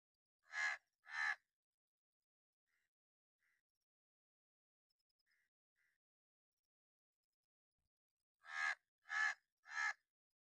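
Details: Sharp, loud warning caws from a crow in an angry mood, possibly a hooded crow: a quick pair of harsh calls, a long quiet gap with faint soft notes, then three more rasping caws in a row.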